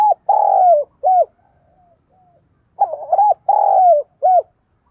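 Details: Decoy spotted dove with a thổ-style voice cooing to provoke wild doves: repeated throaty phrases, a long drawn coo followed by a shorter clipped note, given twice with a brief pause between, nothing else audible.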